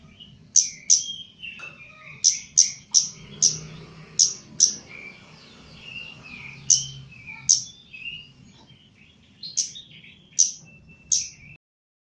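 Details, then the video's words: Caged chestnut-capped laughingthrush, called kemade jawa, in mental training: sharp high chirps repeated in irregular bursts, with softer warbled phrases between them and a low hum underneath. "KEMADE JAWA GACOR"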